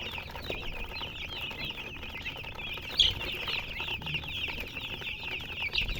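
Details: Colored chickens keep up a thick chorus of high chirps, with a sudden louder peep and a rustle midway and another near the end.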